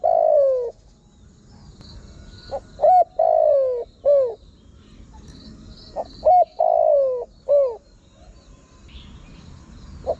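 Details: Spotted dove call used to attract wild birds: soft cooing notes, some slurred downward and others short and clipped, delivered in two bouts over light background hiss.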